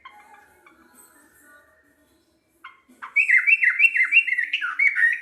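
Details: Local sooty-headed bulbul, singing actively: after near silence with faint background tones, a loud burst of bubbly, rolling whistled phrases, each note sliding down, repeated rapidly for about two seconds.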